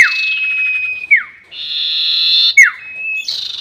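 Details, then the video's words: Sirtu bird lure sound: high level whistles, each ending in a steep downward slur, alternate with rough buzzy bursts in quick succession. "SIRTU NYIUL PANJANG ..... ‼️ Cocok Untuk Pikat || Suara Pancingan Sirtu"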